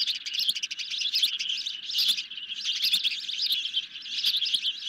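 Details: Nest-cam recording of hungry ospreys fed a medium-sized fish at night, 10 July 2021. Insistent high whistled chirps pour out almost nonstop, swelling into louder clusters about once a second.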